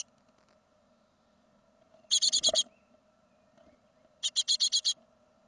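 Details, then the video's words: Fledging great tit from a 2016 second brood: two separated bursts of about six harsh, buzzy hiss pulses, two seconds apart, with a brief thump in between and steady low hum. "Széncinege másodköltés kirepülés 2016."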